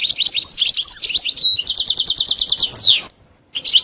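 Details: European goldfinch singing a sitsita and bitbita style song: quick liquid twitters lead into an evenly repeated rattling trill and a rising buzzy sweep, then a pause and a fresh twitter.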